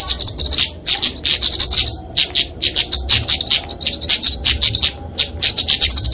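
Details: Flowerpecker, called kemade, in fighting song for tutoring and luring small birds: clusters of quick, piercing high ticks and twitters separated by short silences, with a steady choppy rhythm.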